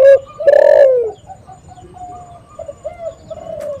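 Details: Spotted dove lure recording opening with a loud, drawn-out, down-slurred coo. Softer cooing from other doves trails after it.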